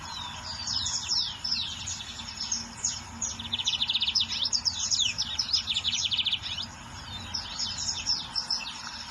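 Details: Wild lined seedeater song: sharp descending whistles lead into dense rapid trills of clipped repeated notes, pausing briefly before another burst of twittering phrases near the end.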